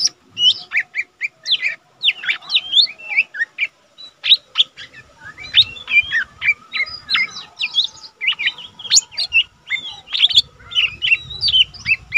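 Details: Long bout from a young lesser green leafbird kept in a cage as a tutor bird: a continuous jumble of sharp whistles, chirps and twittering notes with one short pause, and faint low background rumble.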